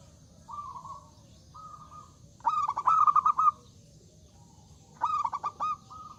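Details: Zebra dove singing loudly, inviting rivals to answer: bursts of rapid bubbling, stuttering coos around one steady pitch, each followed by a drawn-out trilled note, with fainter distant doves answering between phrases.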